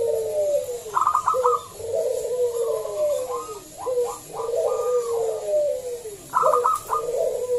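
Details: Zebra dove of local stock used as a lure to coax other doves into song: repeated phrases of quick staccato notes and warbling, descending coos running almost continuously, a new phrase starting near the end.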